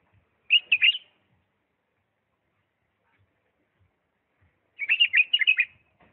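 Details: Bulbul from Diyala singing in the refined 'lisanat' style: two short, rich warbled phrases of quick chirping notes, the second longer, separated by about four seconds of quiet.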